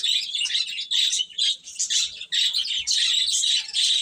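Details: Baby chicks peeping steadily, high sharp chirps repeated roughly twice a second in overlapping bursts from several birds.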